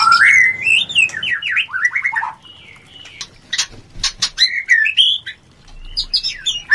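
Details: White-rumped shama mating song meant to stir breeding urge: an opening run of rapid up-and-down whistled zigzags, then scattered sharp clicks, short whistles and a few fast chattering notes.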